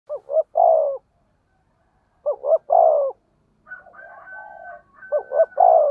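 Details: Spotted dove in the thunder-voiced 'thổ sấm' style, used as a lure to stimulate other doves: three deep cooing phrases, each two quick short notes then one long drawn, falling coo, with a fainter wavering coo between.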